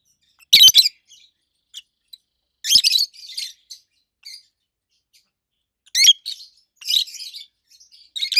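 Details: Rosy-faced lovebirds, two healthy adult pets over a year old, giving loud treble chirps in separated bursts, some sharp clicks among them, with short silences in between.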